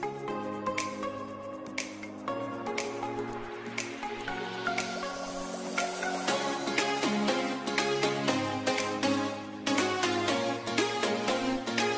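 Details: Electronic dance music with a steady beat and layered synthesizer tones, with no animal voices.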